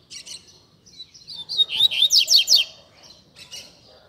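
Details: Caged double-collared seedeater singing a tui tui zel zel style song used to train young birds: soft high chips building into a quick series of loud, sharp descending slurred notes, then fading chips.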